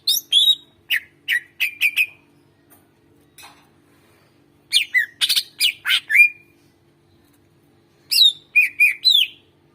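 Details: Greater green leafbird, a lively singer used as a lure to prompt reluctant birds to sing, giving loud clear whistled notes and sliding chirps in three bursts separated by short silences.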